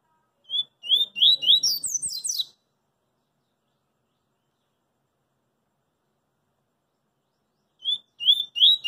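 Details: A double-collared seedeater singing in the street repeats its 'coringa' song: whistled notes rising into a rapid high twitter, a long pause, then the same opening whistles return.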